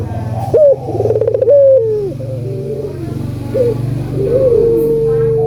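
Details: Albino collared dove calling actively, played to stimulate other doves to call; rolling coos with a trilled middle and a long steady final note, over a constant low hum.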